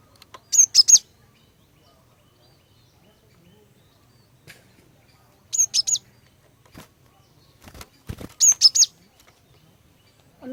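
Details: Female cinereous tit chirping to draw males into song: three short phrases of rapid high notes spread across ten seconds, with scattered clicks and taps between.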